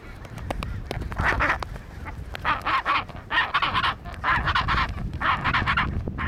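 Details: Chinstrap penguins fighting trade harsh, honking brays in quick bursts of several per second, rising and falling in loudness, over a low rumble of wind.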